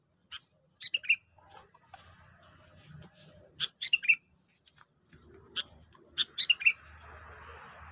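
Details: Sooty-headed bulbul used as a trapping lure, tested after being given a stimulant: three short bursts of sharp, high chirps and slurred notes spaced a few seconds apart, over a low background rumble and faint hiss.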